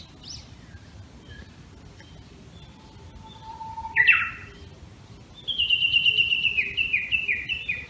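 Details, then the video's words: Japanese bush warbler in a bamboo thicket, Tama district of Tokyo, early morning of 26 May 2019: one whistled 'hō-hokekyo' ending in a bright burst, then a fast valley-crossing run of sharp, repeated 'kyo-kyo' notes lasting about two and a half seconds. "竹藪で うぐいす が鳴き始めた！ (2019/5/26撮影) ホーホケキョ ～ 谷渡りx２回 鶯/nightingale"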